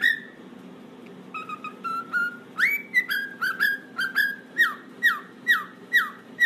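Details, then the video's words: Cockatiel singing: soft stepped whistles climbing in pitch, then a rapid series of loud downslurred whistles repeated about twice a second, over a constant low electrical hum. "cockatiel bird singing and talking"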